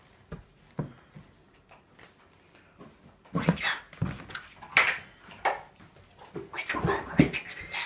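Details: A pet parrot, sensing its owners getting ready to go out, repeats Japanese phrases like "going shopping", "going to work", "be good" and "bye-bye" in harsh, voice-like bursts and short squawks in a quiet indoor room on a rainy day.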